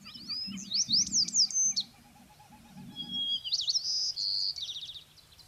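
White-crowned Sparrow sings two phrases. Each opens with clear, high whistled notes, then breaks into a buzzy, jumbled trill. A faint low murmur sits beneath.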